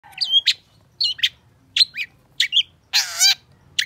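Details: Long-tailed shrike in energetic full song, meant to stimulate a bird that has stopped singing: varied harsh chattering notes, short whistles and scratchy bursts, with one broad rasping buzz near the end.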